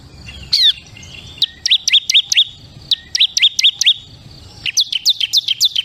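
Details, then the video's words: Bar-winged prinia, crystal-voiced type: a buzzy high note, then broken bursts of quick, sharp, down-slurred chips in short groups, ending in a faster run of bright ticking notes. "SUARA CIBLEK KRISTAL PALING GACOR"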